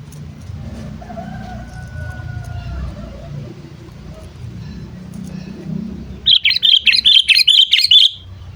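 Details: Captive sooty-headed bulbul calling to lure wild birds. After faint thin whistles and road rumble, a fast burst of about eight bright, chattering high notes runs for nearly two seconds.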